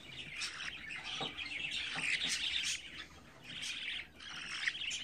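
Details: Twenty-four-day-old budgerigar chicks and their nestmates, kept indoors, produce fast irregular high chirping, several notes a second, broken by short lulls.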